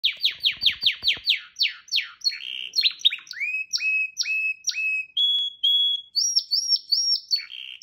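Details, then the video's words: Canary song: fast series of descending whistled sweeps, then a varied run of flat and rising whistled notes and higher held tones, clean and loud with no other sounds. "Kanariezang, deze moet je echt horen."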